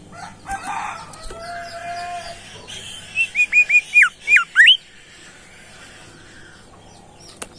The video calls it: SUITAN FARIASI SUARA BURUNG BIMOLI GACOR